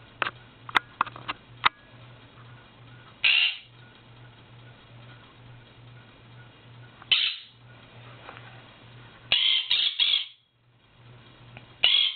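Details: Pet Quaker parrot indoors giving its morning wake-up calls, never letting its owner sleep past 8am in any season: loud harsh grating squawks at irregular intervals, some single, one a quick burst of four, with faint clicks and tapping between.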